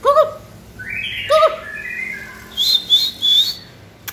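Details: White-rumped shama (Cọp Biển), 2020 season, giving sparse, clear whistles: low ringing notes twice, soft sliding tones, then three quick high whistled notes.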